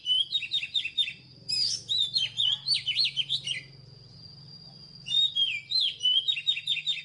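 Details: Wild-caught Oriental magpie-robin singing long, rich runs of whistled, slurred and trilled notes in rapid succession, with a short gap midway; a constant thin high-pitched tone persists in the background.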